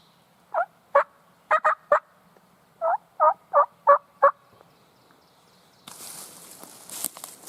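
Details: Fired-up wild turkey tom in Virginia mountain woods on a spring morning, with hens close by, gobbling in loud rapid rattling bursts, ten in under five seconds, followed by a sudden rush of rustling or handling noise.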